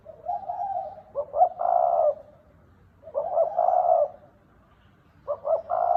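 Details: Cu gáy (spotted dove) in thúc bổi cooing: a drawn-out low note, two stuttered clicks, then a fuller hoot, the phrase repeating about every two seconds, three times.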